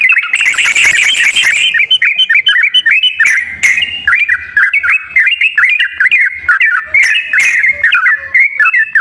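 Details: Lure song of a yellow-vented bulbul, meant to stimulate a lazy caged bird to sing: a loud, continuous stream of liquid, gurgling whistled notes that jump up and down, with a brief rustling burst at the start and a few clicks.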